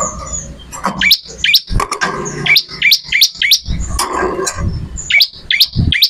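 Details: Energetic bar-winged prinia song: a steady stream of quick, sharp rising chirps, some with a bright whistled tip, delivered in tight clusters against a murky low background rumble.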